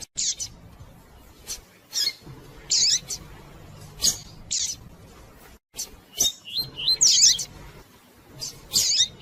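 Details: Female Double-collared seedeater calling and chirping a lot, used to warm up and stimulate a male to sing: short, sharp high chirps and brief twittering notes in irregular bursts, with quiet pauses between them.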